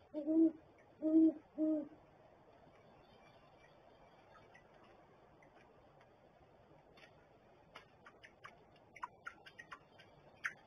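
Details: Great horned owl at its nest in a barrel, recorded on a nest cam in winter: three deep, hollow hoots in the first two seconds, then quiet with scattered faint clicks and taps.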